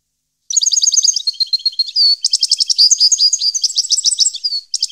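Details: Goldfinch song from 2015: after a short silence, a lively stream of high chirps, liquid twitters and fast trills, with a brief drawn-out whistle midway, continuing almost without a break.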